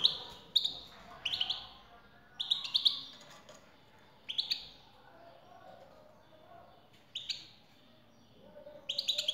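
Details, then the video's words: Female-call recording for European goldfinch, used to set a male singing: short high twittering phrases with buzzy, tinkling notes recur every one to two seconds over a quiet background. "حسونك سيغرد مع هده البثبثة Goldfinch singing"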